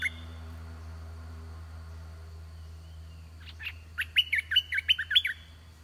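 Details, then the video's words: Red-whiskered bulbul used as a decoy to lure wild birds. After three quiet seconds a quick run of short, bright warbled notes bursts out, about eight notes in under two seconds. A low steady hum sits underneath. "ต่อนกกรงดอกแตง (ไอ้ทอง) ตัวที่ 10 นกป่าลูกเสอมาไวมาก ตัวใหญ่ บัวใหญ่ เพลงดี"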